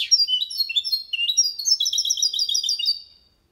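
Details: Goldfinch-canary hybrid singing limpio Malaga copy to encourage males to sing: short series of high, liquid chirped notes repeated in quick trills, fading out after about three seconds.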